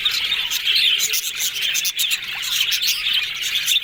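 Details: Several yellow budgerigars in happy chatter, their busy high twittering running nonstop with bright squeaky notes layered over a scratchy warble, one brief dip near the middle.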